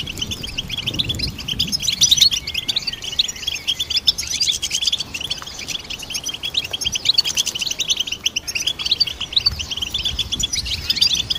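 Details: Goldfinch song for songbird training: a steady, busy torrent of high, metallic twitters and rapid trills with hardly any gaps, over a soft low background hum.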